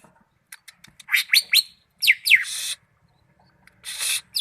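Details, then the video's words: Greater green leafbird, Malinau: soft ticks lead into loud swooping whistles that rise then fall, followed by a short harsh buzz. "Cucak ijo mania malinau vs raja kicau"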